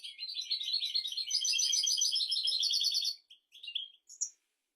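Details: Teaching song of a European goldfinch for goldfinches and canaries: three seconds of rapid, bright twittering trills with buzzy, liquid notes, then a few separate chirps and a short rising call.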